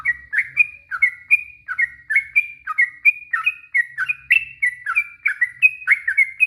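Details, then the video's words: Long rapid warble (ropel panjang) of a yellow-vented bulbul, meant to make silent birds reply; a steady stream of bubbly, up-and-down chirps, several per second, with no pause. "Suara trucuk ROPEL PANJANG,,trucuk stress trucuk bisu pasti nyaut seketika"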